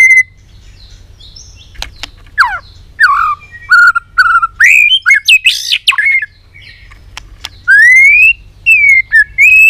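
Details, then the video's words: Excited white-rumped shama flicking its tail and clicking while singing: varied slurred whistles and chuckling notes, a harsh burst, then clear long rising whistles repeated. "Chòe Lửa tạch đập đuôi kích lửa cực sung. kích chòe Lửa lên lửa sổ giọng.chòe Lửa hót nhiều giọng"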